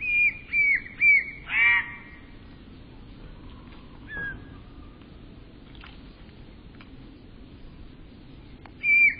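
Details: Eurasian bullfinch giving a run of short, clear whistled notes, each bending downward, four in a row at the start, then a quiet gap with faint sounds and one more whistle at the end.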